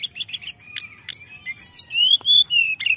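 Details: Sunda robin song for luring, stuffed with fillers: a quick series of buzzy notes, two sharp chips, then long clear whistled notes that waver slightly in pitch.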